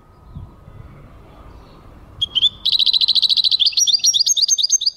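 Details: Singing European goldfinch, 2023: after two seconds of near silence with a faint low hum, a quick high trill of repeated tinkling notes begins and runs on, turning into varied twittering phrases.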